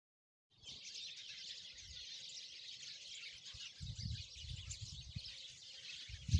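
Sparrows chattering as a flock, many high, quick chirps overlapping into a steady busy twitter, over low rumbling wind or handling noise.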